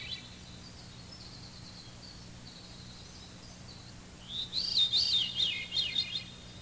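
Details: Veery song on an identification tape: faint high notes at first, then after four seconds a clear series of downward-spiraling flute-like loops, each lower than the last, over a steady low tape hum.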